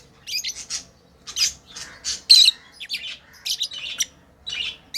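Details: Lovebirds chirping as they play: soft, high squeaky notes building into louder, grating chirps, with one brief whistled tone among them.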